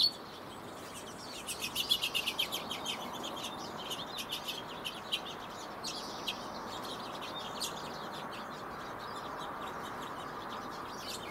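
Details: A Pine Siskin in a backyard in the Sierra foothills, California, on 10 April gives rapid runs of short, high, dry chips. These are densest early on, then become scattered notes over a steady low rushing background.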